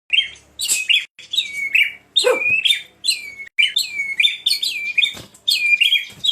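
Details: White-rumped shama singing loudly: a rich run of clear whistled phrases, many sliding down, mixed with sharp high chips and brief pauses between bursts.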